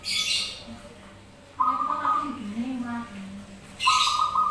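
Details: Zebra doves answering one another in song for luring: a low, trilled coo that wavers and drops, between bright buzzy higher tones, with hissy high bursts at the start and end.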